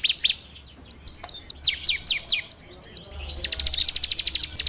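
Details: Bar-winged prinia song used as a lure for training birds, recorded on an Android phone: sharp high chirps in short groups, then a fast even trill of clipped notes near the end. Full rapid ngebrem style.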